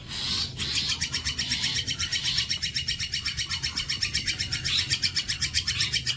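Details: Long-tailed shrike giving bolo panjang song for training other birds: after a short opening note, a sustained rapid series of rasping high pulses runs steadily on, loudness gently rising and falling, low hum beneath.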